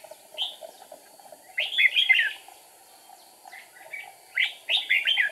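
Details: Red-whiskered bulbul decoy at a trap, 8 April 2019: a single clear note, a loud rolling warble of several slurred syllables, a pause, then two more quick bright phrases.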